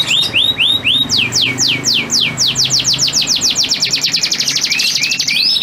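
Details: Male canary singing at a female in breeding condition: a few rising upswept chirps, then a long rapid sequence of falling whistled notes, growing faster and denser toward the end.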